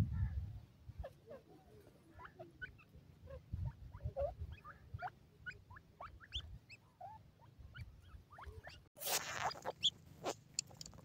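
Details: Many baby pheasant chicks being raised, playing and exploring, give a dense stream of thin rising peeps and twitters, with low rumbling handling noise and a loud burst of rustling near the end.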